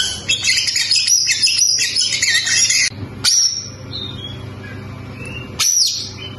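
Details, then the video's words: Oriental magpie-robin (kacer) singing: a dense, rapid run of high, scratchy chirps and trills for about three seconds, then a pause and two sharp, rising-then-falling whistled notes separated by quieter gaps. "KACER BAHAN PASTI TAMBAH GACOR MENDENGAR SUARA KACER INI!!!"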